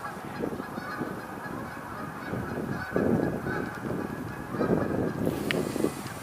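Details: Canada geese honking in hoarse, nasal bursts at a pond on 13 November 2021 near dusk, as three fly in and more may call from the water, with a steady background rumble.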